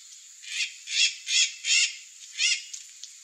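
Curl-crested jay giving five harsh, raspy calls, each about a third of a second long, repeated roughly every half second; a faint background hiss.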